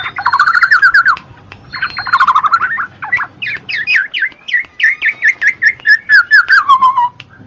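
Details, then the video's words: Black-naped oriole singing, used as a lure for lazy birds: fast warbled whistle phrases with steady rhythm, a pause, then a long string of bright, downward-slurred notes that fall lower toward the close. "TERAPI BUAT MANCING BURUNG MALAS BUNYI,SUARA KEPODANG MAS"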